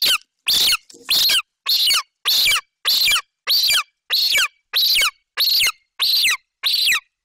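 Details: Excited golden eagle chick in Bucovina vocalizing loudly for minutes over prey, a magpie, delivered by its mother; steady run of piercing, falling screams, eleven in about seven seconds, evenly spaced.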